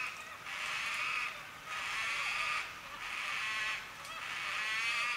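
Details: White-tailed black cockatoo in forest at Lane Poole Reserve, Western Australia: drawn-out wailing calls about a second long, repeated roughly every 1.3 seconds over steady forest background.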